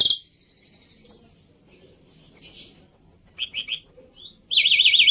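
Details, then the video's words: Javan pied starling, used to teach other cage birds, producing scattered high squeaks and a downslurred whistle, then a trilled, warbling high phrase at the end. "Pancingan Plus Masteran Burung Jalak Putih full Isian"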